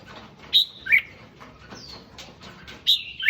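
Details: Red-whiskered bulbul song meant to excite other bulbuls: a few loud falling whistles, quieter thin notes between, and a final pair of descending whistles.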